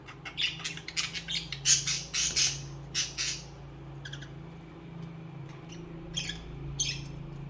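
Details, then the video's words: Budgerigars chirping, a burst of loud, raspy squawks and scratchy chatter in the first three seconds, then sparser high chirps, with a steady low droning hum underneath. "Most Beautiful Bugies Song | Bugies Singing and Chirping"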